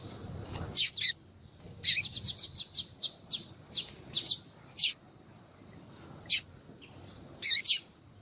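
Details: Female yellow-bellied seedeater calling repeatedly to excite males and stimulate their song. Sharp, very high, clipped chips arrive singly and in quick runs of four to six, with irregular pauses. Faint low background murmur.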